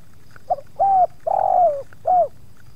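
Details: Tekukur, the spotted dove, kept as a lure bird at Subang while wild doves come to the yard; a soft stuttered lead-in then a level coo, a long sagging coo and a final short falling coo, over low background rumble.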